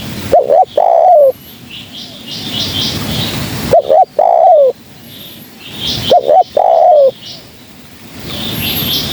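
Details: Spotted dove used as a trapping lure, giving three evenly spaced coo phrases. Each is a quick two-note lead-in and a drawn-out descending coo, with faint high chirps of other birds in between.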